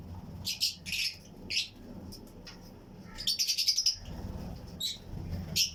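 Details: Fischer's and Lutino lovebirds chirp in a colony flight cage alongside other birds: spaced sharp high chirps, a quick stuttering run of ticking notes midway, and low room noise beneath.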